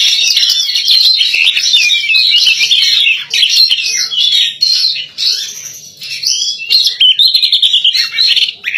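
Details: Caged female white-rumped shama in full song, rivaling males: rich, varied phrases of fast twittering, sweeping whistles and buzzy trills pouring out almost nonstop, with short pauses between bursts over nearly nine seconds.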